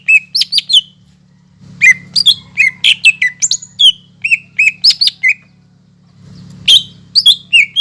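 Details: Greater green leafbird, a caged singer used to stir reluctant birds into song, delivering rapid bright whistles and chipping notes in bursts, with brief quiet gaps and a constant low mechanical hum.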